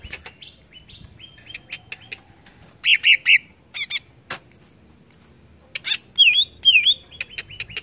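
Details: Greater green leafbird song meant to stir up other birds: soft flat notes give way to loud buzzy trills and sharp V-shaped whistled notes, delivered unevenly.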